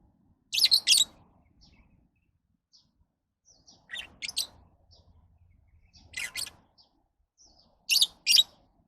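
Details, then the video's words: Lovebirds calling in short bursts of shrill, scratchy chirps, usually paired notes, repeated roughly every two seconds with quieter clicks and peeps between and near silence otherwise. "Love birds Sounds"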